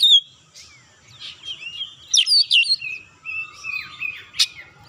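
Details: Kacer, or oriental magpie-robin, singing excitedly as a lure to set other birds singing, pouring out its 'isian' material: scattered whistled slurs and sharp chips, quieter at first, then bursts of bright, busy phrases with a faint low background murmur.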